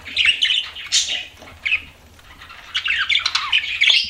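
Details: Pet budgerigars chirping indoors: dense, scratchy warbled chatter with squeaky notes, loud at the start, dipping quieter mid-clip, then resuming in busy bursts.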